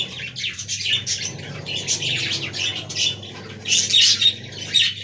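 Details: Budgerigars in a colony aviary keep up a continuous raspy warbling and chirping from several birds, with a faint low hum beneath.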